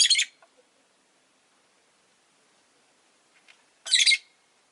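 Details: Rosy-faced lovebird on a relaxed afternoon, making two bursts of harsh, shrill, high chirping separated by nearly four seconds of near silence with a few faint clicks.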